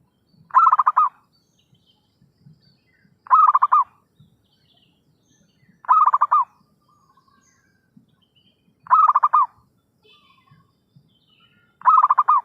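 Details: Lure call of a zebra dove for trapping birds: five pulsed, rolling coo phrases repeated roughly every three seconds, each about half a second long, over faint low rumbling background.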